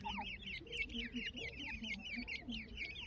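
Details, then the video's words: Grey francolin chicks with their family, a series of high rising squeaky peeps repeated about once a second, with a low clucking adult note below. "teetar ke bacche"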